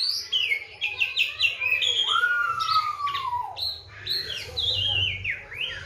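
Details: Oriental magpie-robin kept as a songbird, with seven crickets and morning and evening bathing, in vigorous 'gacor' song: rapid descending whistled notes, a long sliding downward whistle, then dense chattering phrases in a quiet setting.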